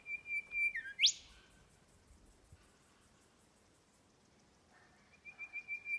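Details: Male Golden Whistler on the Popes Glen Walk, Blackheath, Blue Mountains, NSW: a run of steady high whistled notes, a dip, then a sharp upward whip-like crack; after a pause a further series of even whistles begins.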